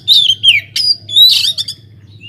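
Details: Oriental magpie-robin singing vigorously inside an aviary, used as a lure to set other birds singing: loud, sweet whistled phrases sliding downward, then sharp rising whistles and a burst of rich notes, over a low steady hum.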